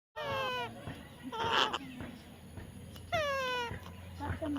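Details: Baby parrot being tamed gives two drawn-out harmonic squawks that slide downward, one at the start and one near three seconds, with a short harsh burst between them and low background hum.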